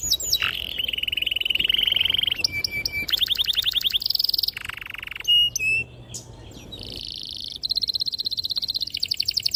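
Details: Singing canary used as a tutor for young canaries, with long steady buzzy notes, clicking trills and short whistled slides strung into extended phrases.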